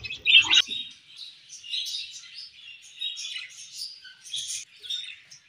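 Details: Happy budgie chirping: one sharp loud squeaky call at the start, then a softer run of high, wavering warbled notes and twitters continuing steadily in fairly quiet surroundings.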